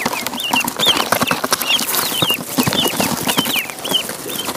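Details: Ducklings in a pond giving repeated high, wavering peeps, several birds calling together amid constant loud splashing and rustling noise.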